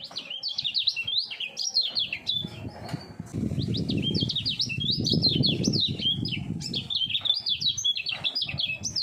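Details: Common iora, a three-year-old caged contest bird, delivering fast doubled-voice song: bursts of rapid, zigzagging whistled notes separated by a short gap, with low rumble and brief wing flutter in the background.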